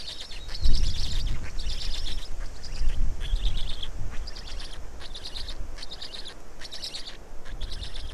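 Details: At an Estonian black stork nest, feeding time, 19 May 2019, 15:43; a steady chorus of scratchy, hissing bursts in uneven groups, over low rumbling thumps and handling noise near the start.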